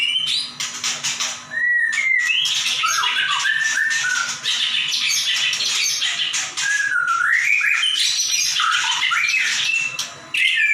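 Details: Persistent song of a caged white-rumped shama used to train other birds: dense harsh chattering and buzzy notes interwoven with sliding whistles, almost unbroken for ten seconds.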